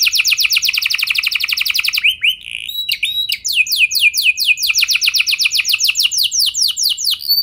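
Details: Rolling canary song meant to coax other canaries into singing: a dense rapid trill, a short break of nasal notes, then a faster chopped roll of descending strokes that speeds up and continues.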